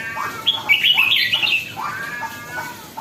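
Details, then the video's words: Red-whiskered bulbul (jambul) beginning to turn lively: a dense bright warbled phrase early on, then softer rising chirps, in a quiet background. "sora burung jambul baru nak galak"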